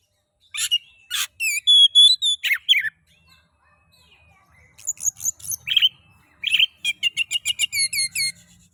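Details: Oriental magpie-robin (kacer) song used to stimulate other magpie-robins to sing: clear whistled notes and buzzy phrases, then a quick run of sharp repeated chips near the end, with brief pauses between bursts.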